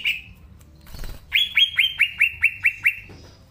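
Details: Green leafbird singing: one short whistle, a brief rustle, then eight evenly spaced, clear downslurred whistled notes, slowly dropping in pitch.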